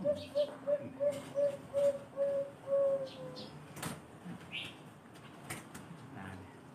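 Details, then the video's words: Zebra dove of the Bangkok type, valued for a special full voice, delivering a rolling run of about eight soft coos that lengthen toward the end, then scattered high chirps and clicks from other birds. "BURUNG PERKUTUT BANGKOK SUARA ISTIMEWA"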